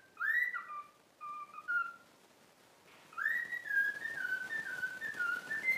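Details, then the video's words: Trained pet cockatiel mimicking the tune If You're Happy and You Know It: a few short whistled notes with a downward slur, a pause, then a long run of rising and gently stepping whistled notes over a steady hiss of background noise. "COCKATIEL SINGING IF YOU ARE HAPPY AND YOU KNOW IT WHISTLE Cockatiel Sound"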